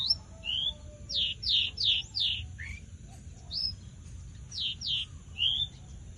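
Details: Javan bush lark in lively song, giving clusters of sharp descending whistles, three or four in quick succession, split by short pauses, with a steady low background rumble.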